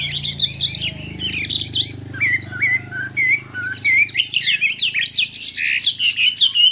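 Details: Chinese hwamei in a singing contest, many-voiced: fluid whistled phrases, a series of clear rising-falling slurs, then denser and faster warbling, over a low background rumble.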